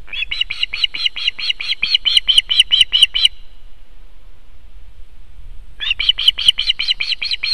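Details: Osprey alarm from a female guarding her Estonian nest against an intruding osprey, July 2021: a rapid series of shrill whistled piping notes, a pause of about two seconds, then the fast piping resumes, with wind rumble underneath.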